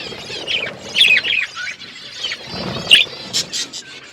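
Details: Outdoor aviary budgerigars giving scattered chirps: short squeaky warbles in small bursts separated by quieter moments, with faint background chatter.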